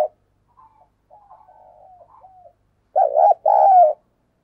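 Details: Decoy spotted dove calling to lure wild doves; after soft, faint warbling notes, a loud two-part coo sounds near the end, with a wavering first note and a longer, steady second note.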